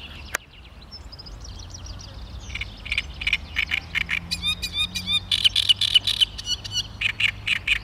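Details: Great reed warbler on 16 May 2013 gives loud, harsh, grating notes in quick croaking runs of about four per second, with a few thin high chirps from other birds at the start.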